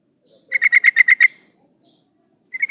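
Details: Female yellow-vented bulbul calling a male, used to lure males into song: a quick run of seven rasping chatter notes, silence, then the start of another burst.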